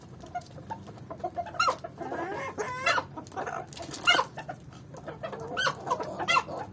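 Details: Swedish Flower chicken rooster courting a hen: a burst of harsh, harmonic clucks and short wavering calls, several loud notes in quick succession with softer chatter between, over a steady low background hum.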